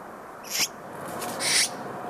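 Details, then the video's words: Nesting female Azure-winged magpie, confined to the nest incubating three eggs, calls her mate with two short, harsh, high-pitched calls about a second apart, the second longer and louder, over faint background hiss; he then feeds her. "내내 둥지에 묶여 있던 암컷이 수컷을 부릅니다."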